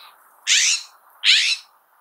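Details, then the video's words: California scrub jay giving two harsh, scratchy screeches, each about a quarter-second long and under a second apart, over a faint low hum. "throat is whitish with a blue necklace the call or screech is described as harsh and scratchy now let's listen to its call"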